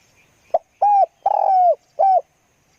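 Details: One full phrase from a spotted dove used for luring: a soft clipped note, a steady coo, a longer rasping coo that slides down at the end, and a short final coo.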